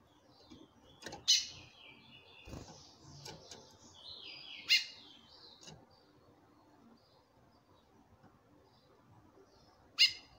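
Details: Calling female chestnut-bellied seed finch, more than ten calls a minute, with a male answering in song: three loud sharp call notes spread over ten seconds, soft warbling song between them, some thuds.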